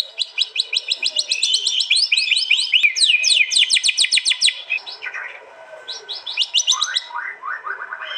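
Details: Fierce contest song of a white-rumped shama from East Java, Indonesia, recorded on an Android phone and merged into a master track: dense, fast-repeated high chips and sweeping notes. A pause follows, then further rapid stuttering phrases.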